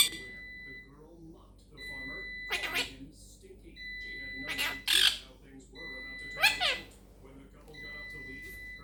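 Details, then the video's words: Little quaker parrot chatting at home: harsh voice-like squawks and bent harmonic syllables in three main bursts, with a steady electronic tone repeating in the background. "CHATTING LITTLE QUAKER PARROT"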